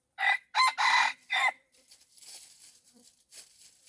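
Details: Red junglefowl crowing during wild junglefowl decoy luring: four loud, hoarse, rasping syllables, the third one longest, then softer rustling and faint low clucks.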